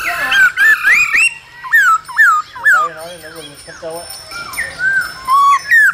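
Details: Male laughingthrush in song and display with female calls in the cold season: varied loud whistles, including sharp downward-slurred notes repeated about every half second, plus some harsher phrases and softer fluty notes.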